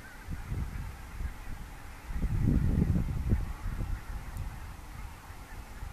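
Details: Thousands of wild Barnacle, Greylag and White-fronted geese fly at morning from their IJsselmeer roost to feeding fields near Gaat, Netherlands, in October 2015. Overlapping low honks swell into a dense burst midway, over a steady rushing background.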